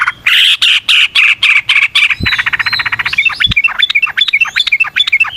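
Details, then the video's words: Lively 'ngalas ropel panjang' outpouring of a yellow-vented bulbul, meant to provoke other birds into song: loud harsh bursts, then a fast rattling trill, then quick bubbly rising notes. "Trucukan GACOR ngalas ROPEL PANJANG suara alam"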